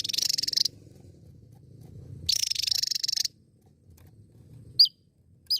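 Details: Javan tesia in full song: two long buzzy, rattling high bursts of about a second each, separated by a pause, then two short sharp whistled notes dropping in pitch, over a faint low rumble.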